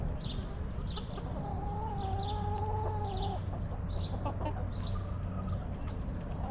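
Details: Backyard hens relaxing in their coop, one hen drawing out a long, steady, tonal cluck lasting about two seconds, with shorter clucks after it, over a low constant hum and many high chirps from wild birds.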